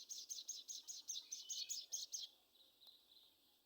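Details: Sogon song used as a lure to make a caged bird sing: a fast series of high, buzzy, rattling notes, about two each second, stopping after two seconds and followed by quiet hiss.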